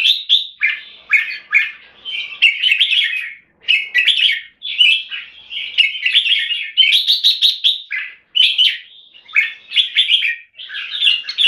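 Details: Singapore-kept red-whiskered bulbul in sustained song with solid clear keke notes: a long chain of chattering, warbling whistled phrases, each under a second long, broken by brief silences, in a quiet setting.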